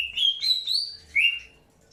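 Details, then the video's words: Greater green leafbird during early pairing: a few linked whistled slurs, then one rising whistle, brief and clear. "PROSES PENJODOHAN AWAL BURUNG CUCAK HIJAU"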